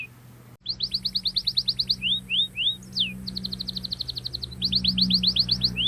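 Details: Sharp rolling canary song to lure young birds into learning: quick bursts of rapid trilled whistles broken by slower single slurs, repeated in several runs over steady background hiss and hum.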